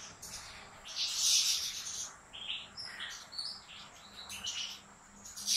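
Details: Aviary European goldfinch from a professional breeder's large flight cage, giving a lively burst of bright, buzzy trills and short chirps at high pitch, fading into scattered tweets, with a low steady hum behind.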